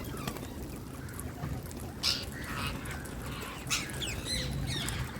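Indian parrot giving harsh, scratchy squawks and short chirps at irregular intervals, a few rising in pitch, over steady low rumbling background noise.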